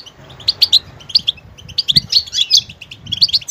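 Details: Goldfinch singing in short bursts of bright, high tinkling chirps and liquid twitters, separated by brief pauses, with faint low rumbling in the background.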